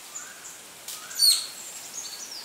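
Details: Greater racket-tailed drongo, an expert mimic copying Shikra, Rose-ringed Parakeet and Treepie calls, gives a brief, sharp, high whistled note after a harsh rasp. Faint high background calls are also heard.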